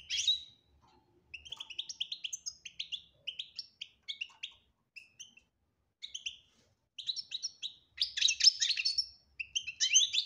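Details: European goldfinch singing in the Algerian 'batbata' style with clear 'tasfiya' passages: bright high twittering phrases broken by short pauses, growing denser and louder toward the end.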